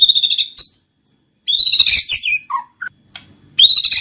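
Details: White-rumped shama, murai batu, lure song for singing and mating: high whistled and buzzy phrases, a low slurred note, and a renewed loud burst at the end.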